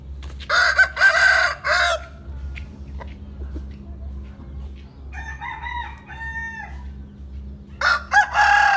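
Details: Rooster crowing in the morning: two loud, harmonic-rich crows open the recording, a fainter drawn-out crow follows in the middle, and another crow closes it, over a steady low hum.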